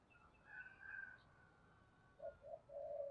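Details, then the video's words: Spotted dove decoy bird used to stimulate cooing: after higher whistled notes from another bird, three low rounded coos follow in quick succession, the last one longer and drawn out, over faint background hiss. "Chim Cu Mồi, cu gay kich boi nhanh noi gù, mở lên cái bổi gáy gù cả ngày"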